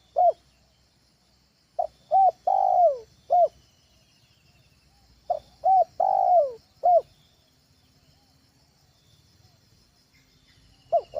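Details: Trained spotted dove giving a lure call for use at home: two short low coos followed by a longer drawn-out falling coo, in phrases about three seconds apart, with a faint steady high hum behind.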